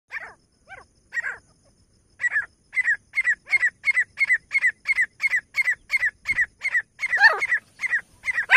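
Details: Grey francolin, male and female, Pakistani birds, calls played to draw them in: a few spaced harsh notes, then a fast steady series of loud scratchy calls about three per second, growing denser toward the end.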